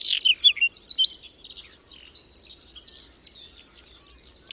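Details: During a sudden May snowstorm in Berezinsky Biosphere Reserve near Domzherytsy village, a whinchat delivers a loud, fast string of sharp scratchy chirps and whistles lasting about a second, followed by faint distant twittering.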